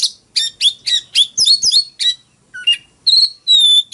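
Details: Oriental magpie-robin in fighting song: a fast run of bright whistled and chirpy notes, some sliding down, in short bursts with brief gaps, ending in long clear level whistles.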